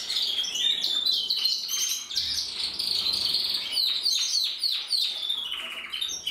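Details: Canaries, several together, pour out fast high trills and clipped chirps repeating roughly three per second, layered with sliding whistles.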